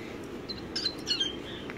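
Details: Pet cockatoo squeaking indoors during a drawing session: a quick run of thin, high, brief squeaky notes bunched in the middle, over faint room noise.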